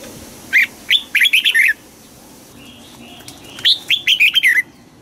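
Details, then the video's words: Red-whiskered bulbul, a caged bird in a song-contest training session, sings short bright phrases: a sharp note followed by a rapid run of four or five warbled notes, given twice with a pause between; quiet background. "Chào mào hót đấu Luyện giọng cho chào mào hót sáng, ép chào mào hót âm kép già rừng hay tuyệt!"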